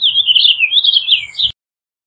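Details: Purple finch singing a continuous, rapid warble of slurred notes that rises and falls, ending abruptly, with a faint low hum beneath.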